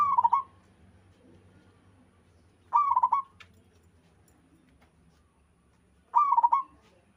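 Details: Zebra dove from the wild singing energetically: three rapid rippling phrases of mellow coos, each lasting about half a second and spaced around three seconds apart over a faint low background hum.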